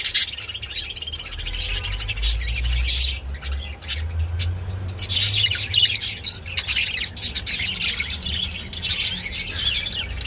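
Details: Budgerigars during mating, giving dense, fast chattering warbles and sharp squawks, with bursts of clicky chirps and a low background rumble throughout.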